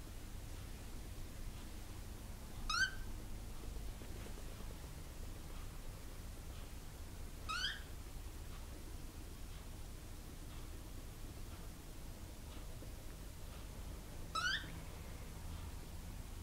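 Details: A pet cockatiel at play gives three brief, rising, harmonic calls spaced several seconds apart over low background hum.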